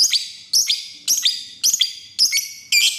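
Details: Lovebird used as a lure to call a rival: harsh, shrill chirp bursts, each a quick cluster of high notes, repeated about twice per second over three seconds, with no other clear sounds.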